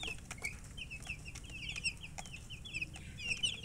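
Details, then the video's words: Newborn domestic chicks peeping: rapid high, short chirps, many overlapping, with a steady low hum beneath and occasional soft clicks. "Tot Murgi chicks chirping sounds Just Born Baby Gallina FRACAS Chicks Piar Loudly Sound"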